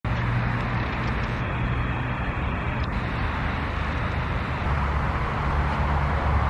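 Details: A steady roar of passing vehicle traffic on a morning, with no animal calls standing out.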